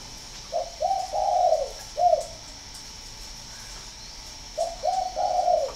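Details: Cooing of a spotted dove from a northern Vietnam breeding farm in Ba Vì, Hanoi: a four-note phrase of short, short, long and single coos, repeated after about two seconds of quiet, the notes low and hollow.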